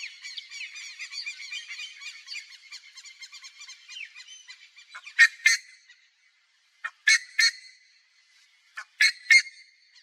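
Buff-necked ibis giving loud, harsh, metallic honking notes, a ragged chattering series at first, then paired blasts about every two seconds.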